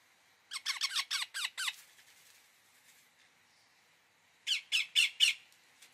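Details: Rose-ringed parakeet (Psittacula krameri), call.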